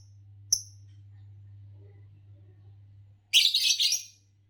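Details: Chirping Fischer's lovebird: a single thin squeak, a long stretch of only low hum, then a quick stuttering burst of harsh, high chirps.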